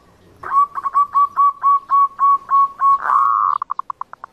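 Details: Zebra dove song played as a trapping lure: about ten evenly spaced, clipped cooing notes, a drawn-out wavering coo, then a quick run of short staccato notes.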